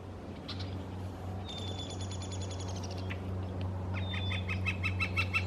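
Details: Northern flicker, a red-shafted flicker (Colaptes auratus cafer), calling on a west coast morning in British Columbia: quick runs of sharp, high repeated notes in two bursts over a steady low rumble of distant traffic or wind.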